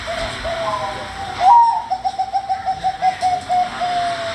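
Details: Bangkok-type zebra dove (perkutut) song: a few soft coos, then a brighter rising-falling note followed by a quick train of about a dozen clipped, evenly paced coos that trail off; steady hiss underneath.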